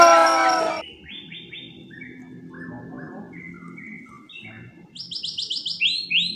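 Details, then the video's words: Caged white-rumped shama singing while placed on a sofa instead of a hanging cage: a loud noisy burst, then series of repeated buzzy notes stepping down in pitch, ending with rapid high repeated notes over a low background rumble. "Murai Nge-play diSofa, Ogah gantang"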